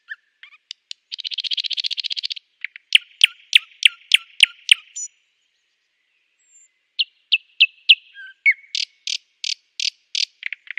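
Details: Nightingale singing: a fast buzzy trill, then a run of sharp repeated notes, a brief pause, and further rapid repeated phrases of clicking and whistled notes.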